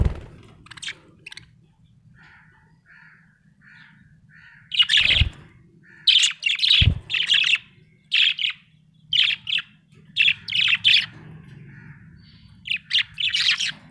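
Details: A happy budgerigar chirping and warbling: soft, low whistled notes repeated at the start, then a lively run of harsh, bright chirps and chatter in short bursts, with two dull knocks and a faint room hum.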